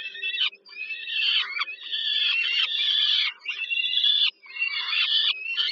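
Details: Peregrine falcon chicks in Warsaw, Poland, at a nest site at Żerań, fed by their mother at dinner on 15 July 2022; harsh, wheezy screeching calls in long drawn bursts with short gaps, a faint steady low hum beneath.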